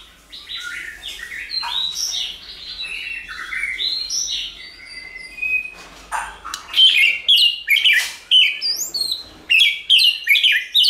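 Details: White-rumped shama song used for training and provoking shamas to sing: a rambling run of varied whistled notes, then loud rhythmic phrases of sharp chirps and high sweeping whistles.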